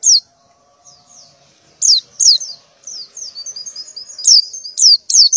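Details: Female white-eye in breeding condition calling for a male in the morning: loud, sharp downslurred chirps separated by gaps, with quieter thin twittering between them.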